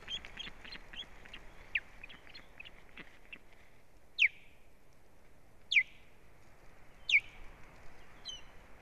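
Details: Osprey female on her nest, 1 May 2017, as strange ospreys attack, recorded by a live nest camera: quick scattered chirps, then three strong, shrill whistles sliding downward, spaced about one and a half seconds apart.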